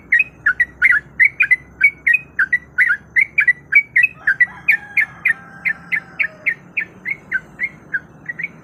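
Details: Sooty-headed bulbul female in breeding condition calls for a male, a lure recording: fast, continuous stream of sharp chirping notes, about three or four per second, over a soft low drone and a brief faint whistle midway.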